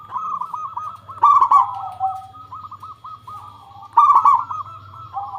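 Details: Zebra dove song played as a lure so other doves start calling: continuous soft, bubbling coos with two louder stuttering bursts, over a low steady hum.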